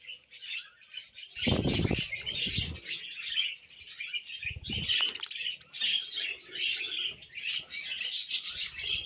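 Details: Pet budgerigars kept for taming twitter and chirp in high, busy warbling phrases, mixed with several loud bursts of wing flapping and rustling.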